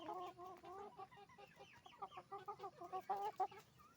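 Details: Hens and roosters on a chicken farm, a close, clear series of nasal, harmonic clucks repeated about three times a second, some drawn into short wavering squawks.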